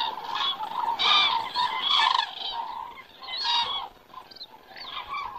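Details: Cranes circling in the sky over Estonia on a September evening at 18:03; loud ringing trumpet calls in clusters roughly every second, fading briefly before resuming.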